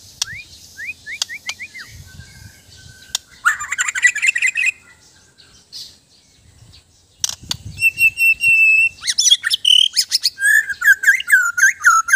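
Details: White-rumped shama of Borneo starting with soft upslurred notes, then bursts of dense high ticking, a pause, and a long loud sequence of rapid chirps and looping whistled phrases.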